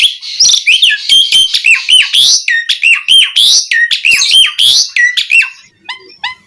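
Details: Asian pied starling, sung to provoke other starlings: a rapid, dense medley of rasping and clear whistled notes with frequent downslurs, ending in a few softer, thinner whistles.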